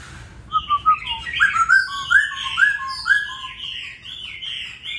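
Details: Laughingthrush singing in the 'Bắt cô chói cột' style: a series of clear whistled notes, the first ones short and paired, then rising slurred whistles about every half second, fading into softer warbling.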